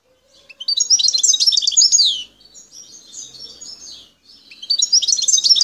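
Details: European goldfinch, a wild bird from Bouteldja in El Tarf, Algeria, gives a dense jangling phrase of quick chirps and trills, then softer twitters, and starts another bright burst at the end.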